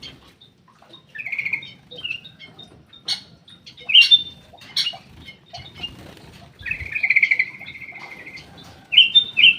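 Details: Black-crested bulbul in an aviary: scattered short trills and clicks, then a long buzzy rattling trill of about two seconds, ending with two sharp, bright whistled notes.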